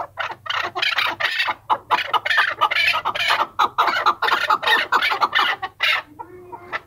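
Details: Excited run of coarse, cackling chukar notes repeated quickly for several seconds before breaking off into softer, lower sounds.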